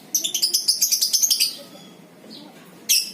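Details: Lovebird, Batman or Violet FC variety, performing ngekek, used as a lure to set other lovebirds chattering. Fast, even string of shrill notes about ten per second for 1.5 seconds, then quiet hum, a faint chirp, and a fresh loud chatter burst.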